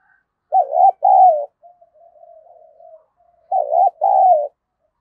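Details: Spotted dove decoy calling to stir up a fight, two matching phrases of paired coos, a short broken note then a longer falling one, with a faint low murmur between them in a quiet setting.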